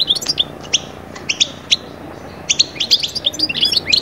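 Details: European goldfinch song for bringing birds out of moult into summer breeding excitement: scattered single chirps, then a quick run of clustered bright twittering notes.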